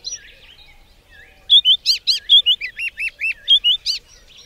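White-browed scrub robin singing a quick run of about a dozen sweet, slurred whistled notes, rising and falling in a lively repeated phrase, with faint background calls before it.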